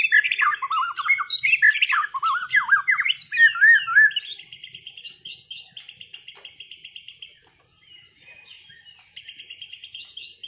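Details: White-rumped shama after moulting, duelled to restore performance; a loud burst of fast varied whistles and swoops, then long dry repeated trills, fading toward the end.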